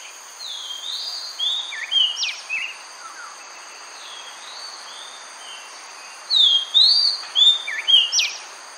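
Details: Oriental magpie-robin in Singapore gives two bursts of sweet, slurred whistles mixed with sharp upward notes, over a steady high hum of insects.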